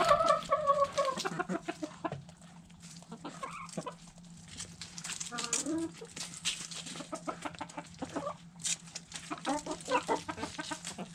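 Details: Backyard chickens feeding on food scraps: a harmonic drawn-out call at the start, then rapid irregular clucks and pecking clicks throughout, over a low steady hum.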